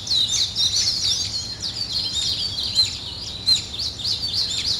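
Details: Birds singing in the morning: dense, high chirps and twittering trills overlap continuously, with quick rising and falling notes and sharper accents near three and a half seconds over faint background hiss.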